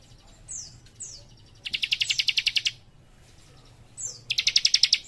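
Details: Young leaf warbler singing prolifically in a dense, rapid-fire style: thin high downslurred whistles followed by fast, even trills of about a dozen bright chipping notes, repeated in bursts over a low steady hum.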